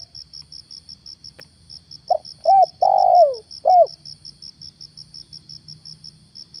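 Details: Morning recording of a spotted dove used as a lure: a single mellow phrase of four coos, the third long and descending, set against an even, fast-ticking insect chirr and a faint click.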